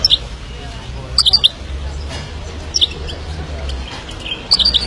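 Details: Himalayan goldfinch song heard as a few sparse groups of crisp, high chirps, two to four notes each, spaced by quiet gaps.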